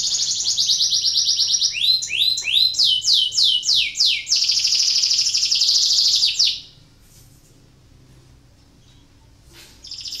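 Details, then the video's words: Canary in breeding condition with a song meant to trigger other canaries to sing: a buzzy high trill, then a run of loud repeated swept notes, another long buzzing roll, silence, and the trill resuming. "PANCINGAN KENARI BIRAHI , AMPUH MERANGSANG KENARI IKUT BUNYI"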